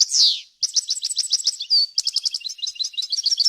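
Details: European goldfinch singing a clear recording meant for training young birds: a falling buzzy slur opens, followed by a fast run of sharp chirps, a short pure whistle and more quick tinkling notes.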